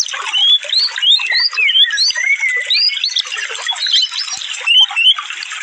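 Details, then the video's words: Sunbird (konin) song used as masteran for training cage birds: fast, dense rapid-fire bursts of thin rising and falling whistled strokes, high and tightly packed, with other birdsong and running water behind. "speed rapat suara burung konin full tembakan"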